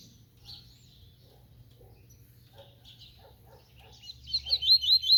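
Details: Double-collared seedeater in 'tui tui' song: quiet scattered chips and twitters build into a loud, fast run of high, sweeping repeated notes at the end, with a faint low hum behind.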